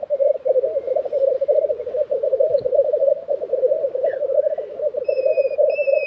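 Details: Black grouse lekking in Tiveden, Sweden, April 2023: a steady, dense bubbling chorus of low rolling coos with no break. Near the end, a few brief high thin whistles from another bird sound over it.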